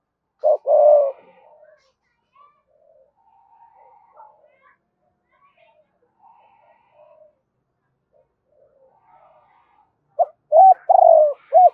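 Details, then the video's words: Morning calling of a decoy spotted dove in the 'hai hậu đôi' style. Loud coos at the start and a burst of arched coos at the end, with faint murmuring sounds between. "Cu gay mồi gáy gọi hai hậu đôi vào buổi sáng"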